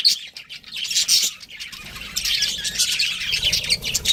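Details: Pet budgerigars, a breeding pair, chirping in rapid high twittering bursts, sparse at first and then a busier, continuous warbling chatter through the second half.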